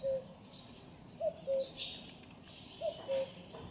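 A common cuckoo gives its soft, hollow two-note 'cuck-oo', the second note lower, repeated about every one and a half seconds. Higher twittering from other small birds comes through behind it.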